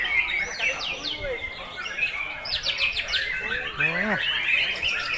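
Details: White-rumped shama, a breeding parent bird, singing nonstop: varied rapid whistled phrases, sweeping up and down, with quick high trills and a sliding, rising note near the end. Background chatter is faint.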